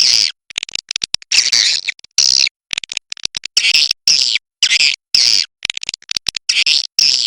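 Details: Cave swiftlet calling, China type: short rasping chirp bursts recurring roughly every second, separated by scattered fast ticking clicks and short pauses.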